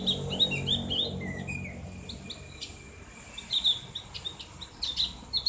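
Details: Javan grey-throated white-eye ngriwik song for conditioning caged birds: a burst of high chirps, a lower slurred phrase, a pause, then more scattered bright chirps.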